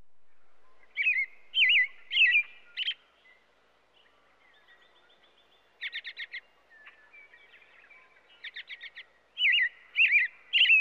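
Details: An American Robin, a common Illinois bird, sings its loud, caroling song: phrases of short, clear whistled notes given in bursts of three or four, with brief pauses between groups.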